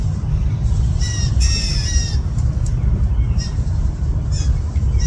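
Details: Hungry fledgling blue jays in a yard, at least two, calling to their parents: harsh, raspy squawks in short bursts, the strongest pair near the middle, over a constant low rumble.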